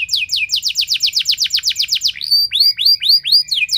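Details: Canary in long, loud song meant to prompt other canaries to sing: about fourteen rapid descending whistled notes, then a run of rising, looping sweeps.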